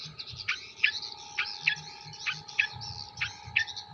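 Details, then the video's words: Faint long-tailed shrike song from Jember with kuntilanak, sparrow and tengkek buto mimicry. Quick downward-sweeping chips come roughly twice a second over a buzzing low hum. "CENDET MATERI KUNTILANAK GEREJA TENGKEK BUTO ASLI JEMBER"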